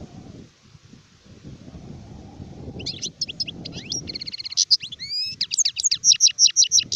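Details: After several seconds of low background rumble, an adult European goldfinch breaks into accelerating bright twitters, a short buzzy trill and sweeping high notes.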